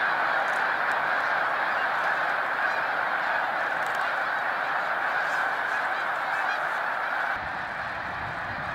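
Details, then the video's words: Snow geese on migration at Middle Creek, Lancaster County, Pennsylvania, where hundreds of thousands gather from mid-February to mid-March; a dense, unbroken clamour of overlapping honks from a huge flock, dropping slightly in loudness near the end. "Middle Creek Snow Geese Migration in Pennsylvania"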